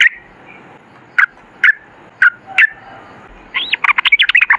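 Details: Sooty-headed bulbul with a few spaced single notes about half a second apart, then a fast, jumbled rush of ringing warbled notes at the end.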